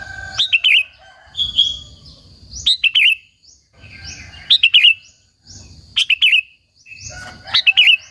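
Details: Sooty-headed bulbul singing energetically, a sound meant to stir rivals and call in other bulbuls; short gurgling phrases of three or four chirpy notes recur roughly every one to two seconds over faint low background hum.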